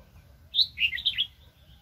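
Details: A brief, cheerful phrase from a wild red-whiskered bulbul, noted as highly aggressive, during trapping in 2020: a sharp opening whistle followed by three bubbling, falling notes, with soft low noise behind.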